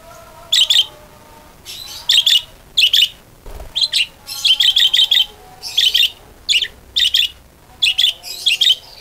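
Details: Budgerigar singing used as a lure so other budgerigars start singing. Repeated bursts of two to five crisp, high chirps every second or so, steady and clear, with little background noise.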